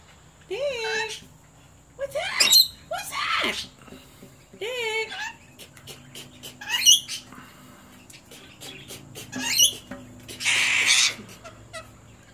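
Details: Lorikeet giving a series of harsh, harmonic squawks and warbling screeches that bend up and down in pitch, coming in bursts separated by short pauses, with a longer rasping screech near the end and faint background hum.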